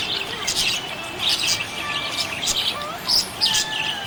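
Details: Cheerful budgerigar chattering with clear, high, rapid chirps and sharp squeaks, including a few louder whistled notes near the end, over low steady background noise.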